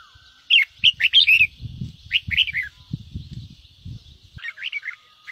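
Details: Red-whiskered bulbul 'ché' song used to get new birds singing: sharp warbled notes grouped in short bursts, trailing off into softer phrases, with low knocking and rustling beneath.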